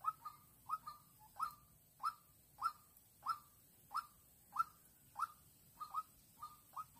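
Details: White-breasted waterhen decoy in Vĩnh Long calling to draw in a rival, March 2022: evenly spaced short nasal notes, about one every 0.6 seconds, over a soft hiss.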